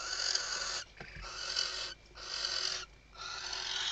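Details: Western barn owl at a webcam nest in Riet Vell reserve, Ebro Delta, Spain, 2023 season, stuffing the nest and calling the male: long, harsh, breathy hisses, each just under a second, repeated steadily with brief gaps.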